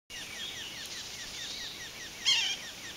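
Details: Male Red-naped Sapsucker calling from a branch along Wishbone trail, Waterton Lakes National Park, Alberta, Canada, 9:20 AM on July 9, 2023: a rapid run of short, downslurred nasal notes, then one louder, sharper note near the end.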